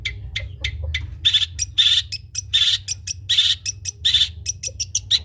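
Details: Trotol long-tailed shrike serving as a tutor for other birds: loud rasping, scratchy bursts alternate with rapid clicking chips in a lively, jerky rhythm, over a faint low hum.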